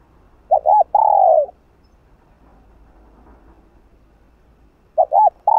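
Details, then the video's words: Spotted dove (cu gáy) repeating a 'hạp bổi' urging song to rouse other doves; one full phrase of two quick coos and a long falling coo, then after a pause the opening double coo of the next. "Gáy Giọng Hạp Bổi ĐỦ BÀI gáy thúc liên tục (GỌI +THÚC + GÙ)kích bổi căng lửa.Cu Đất Gáy.cu cườm"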